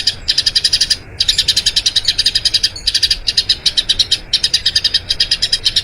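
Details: Long rolling song from a Eurasian tree sparrow, recorded as a master for training other birds: bursts of fast, bright chirps separated by brief pauses, each burst holding many quick notes.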